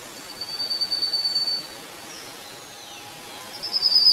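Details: Rufous-faced Warbler (Abroscopus albogularis) at Xitou, Taiwan, on 18 May 2018, giving a very high, thin, buzzy trill held over a second, then a second brief trill, against soft background hiss.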